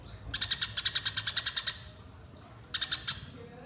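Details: Fighting call of the Eurasian tree sparrow, played as a lure: a long run of about a dozen quick, sharp chirps, a pause, then a short second burst.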